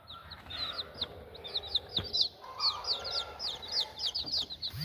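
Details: One-week-old village chicks peeping: a busy stream of short, high, downward-sliding peeps from several birds overlapping, with a faint low hum underneath.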